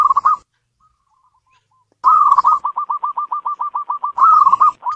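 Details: Local zebra dove kept indoors: a brief cooing phrase, a silent pause, then a long staccato series of clipped, repeated coo notes ending in a louder rolling flourish.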